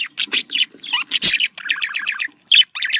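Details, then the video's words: Happy-sounding budgerigar contact calling: loud squawky chirps, then a run of rapid clicking pulses and a final pair of sharp chirps, with a faint low hum underneath. "Voz decomunicación.de loro australiano /sonido de llamada de periquito / se sentirá feliz"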